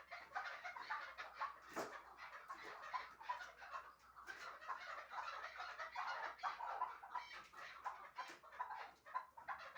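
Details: Two chukar partridges from Shahritus, kept for hunting and described as the best 'mastak' birds, giving dense runs of rapid chuckling notes that overlap throughout, with a brief harsh burst near the second second.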